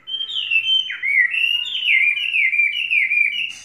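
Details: Tame Chinese hwamei with three seasons of keeping sings a smooth chain of sweeping, downward-sliding whistles that repeat in quick succession, ending with a sharp click.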